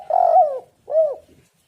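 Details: Spotted dove cooing on a lure recording meant to get doves calling: a long wavering coo sliding down, a brief gap, then a short rounded hoot.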